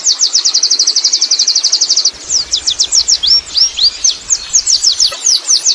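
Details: Wild Oriental white-eye giving ngerol rolling song: a steady, fast trill of high notes, then irregular slurred and sweeping chirps, with a low rumble of background noise in the second half.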